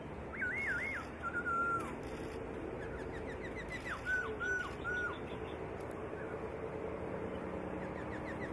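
A white-rumped shama sings two bursts of loud, clear whistled phrases with looping and falling notes. Soft repeated chirps run between them over a high insect-like hiss.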